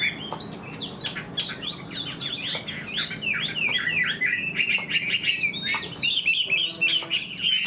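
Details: Fan-tailed Chinese hwamei in a cage, known as a good fighter, pouring out a fast stream of varied whistled notes, rapid up-and-down slurs and repeated chirps, roughly three per second, without pause.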